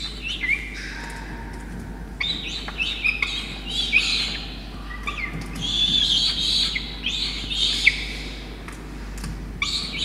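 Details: Peregrine falcon chick being fed a soaked starling by its soaked parents, Orange, NSW, Australia, 5 November 2021; rapid run of short squeaky, chattering calls rising into shrill wailing squeals, overlapping bursts with faint low rumble.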